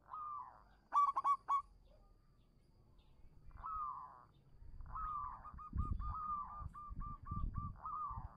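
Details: Local zebra dove song used to coax quiet doves into singing: soft rolling coos and a sharp stuttered burst, then a run of short even notes over loud low thumping and rumbling noise.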